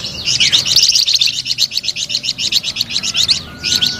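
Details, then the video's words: Flamboyan bird in full, sweet voice: a fast, rattling series of high chirps that runs on steadily, stops briefly, then starts again with a short burst. "SUARA MERDU DAN GACOR BURUNG FLAMBOYAN"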